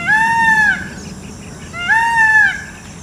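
Two loud, nasal, wailing peacock screams, each gently arched and lasting under a second, come about two seconds apart over a low background hum.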